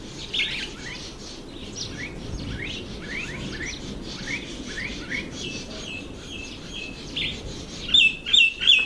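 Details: Red bishop in breeding season, among reeds over water: a run of quick down-slurred chirps, roughly three a second, ending in a loud burst of three sharp twittering notes, with other faint birds chirping behind.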